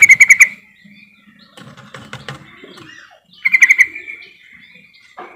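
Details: Lure call of a yellow-vented bulbul, played to spur silent birds into song: loud, rapid bubbling phrases of five or six notes at the start and again after three seconds, with softer twittering between them.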